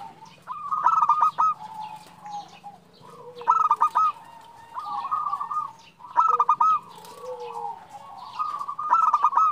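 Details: Calling female zebra dove summoning a male: trilled bursts of quick staccato coos recurring about every two to three seconds, with lower sliding notes and continuous quieter cooing from other doves behind, over a faint low hum.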